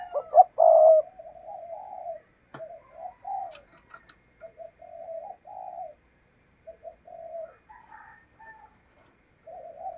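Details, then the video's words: Decoy spotted dove giving its urging coo to entice wild doves for trapping: a loud throaty burst, then a long series of low, even coos, with a few clicks and faint higher notes. "Tiếng Chim Cu Mồi Thúc Gù Bài Bản Dùng Kích Bổi Hiểu Quả"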